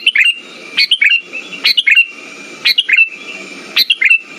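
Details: Lure song of a sooty-headed bulbul for encouraging silent birds to sing: quick chirpy two-part whistled phrases, about four in four seconds, with a steady faint hum beneath.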